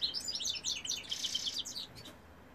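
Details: A male European goldfinch from a 2018 recording sings a fast, liquid twitter of high chirps and short slurred notes packed tightly together, fading out near the end.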